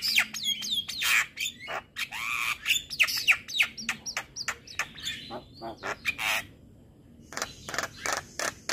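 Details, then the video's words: Javan myna (jalak kebo) morning song, a busy jumble of harsh chattering notes, sweeping whistled slurs and rasps, with a short quiet pause before more scratchy bursts. "Suara Kicauan Jalak Kebo pagi Hari"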